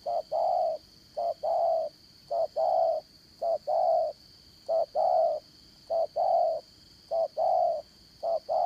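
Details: Spotted dove, a trap bird used to lure wild doves, giving soft, low hollow coos in short and longer notes, grouped in phrases of two or three, repeating steadily; a faint steady hum underneath.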